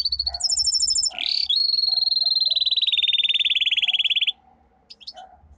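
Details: Domestic canary, a caged pet songbird, singing a powerful song: a brief high rapid trill, then a loud, steady, very fast rolling trill held for about three seconds before stopping abruptly, followed by a few scattered high notes over a faint low hum.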